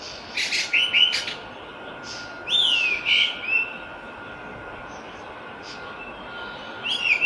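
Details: Island thrush in the wild, singing actively: a few chattering notes, then two longer warbling whistled phrases that rise and fall, separated by quiet gaps, with a constant low hum behind.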